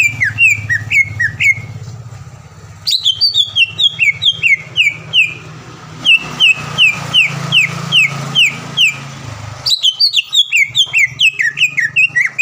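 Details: Greater green leafbird kept in a cage, a frequent contest winner around Palembang, pouring out bursts of bright, slurred whistles repeated about twice a second, separated by short pauses, over low background hum.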